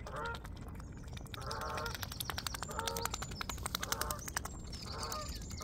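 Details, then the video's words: Background geese give a series of reedy, harmonic honks, five or so bursts spread evenly, while a swan pecks at seeds, its feeding making rapid crisp clicking between the calls. "geese honk in the background"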